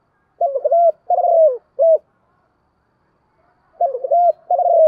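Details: Spotted dove cooing to call other doves: low, mellow coos around a steady pitch, grouped in two bursts of three phrases each, with a silent gap of nearly two seconds between bursts; no other sounds.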